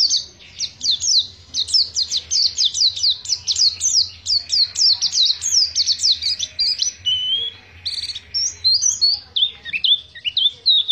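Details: Long ngriwik song from a Pacitan-type Oriental white-eye: a dense stream of thin, high, slurred chirps in rapid sequences, briefly broken by a level whistled note before resuming varied twittering phrases; quiet background.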